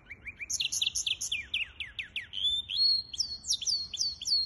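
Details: Hybrid finch song from 23 April 2023 opens with a rapid series of downslurred chips, then a bright whistled note and a run of sweeping, twittering phrases; quiet background.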